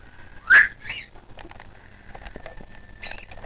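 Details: A 22-day-old hand-fed white-faced cockatiel chick gives short, harsh, squeaky begging cries while being hand-fed, loudest near the start, with quieter wheezy sounds and faint background noise between.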